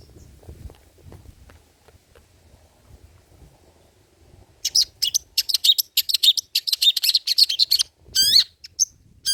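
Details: Long-tailed shrike with old-style song material for luring and tutoring birds: near silence with faint low rustling, then halfway in a dense burst of rapid scratchy chattering notes, a brief pause, and a sharp downslurred whistle.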